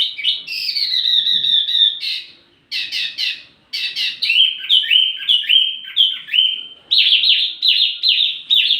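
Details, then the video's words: Wambi mini song used as lure and tutor audio for flowerpecker (tledekan) birds: lively high chirping phrases, strings of quick repeated notes and buzzy trills broken by short pauses, with the last phrases repeated steadily. "wambi mini burung pancingan sekaligus masteran buat tledekan anda"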